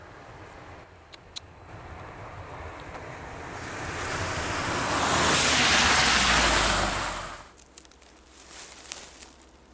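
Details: Surf and wind noise build to a loud rushing peak midway, then ease off into gusty wind buffeting the microphone.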